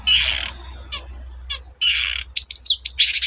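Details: Long-tailed shrike singing energetically to stir other shrikes: drawn-out harsh rasps with short trills between, ending in quick squeaky sliding notes, over a steady low hum.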